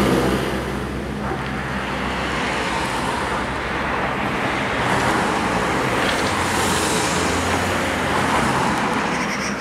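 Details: Steady roar of road traffic with passing cars and engine rumble, no animal calls heard.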